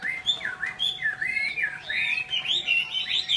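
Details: Chinese hwamei, Vietnam: clear looping whistles and quick slurred notes, varied and continuous over a few seconds, against a faint background hum.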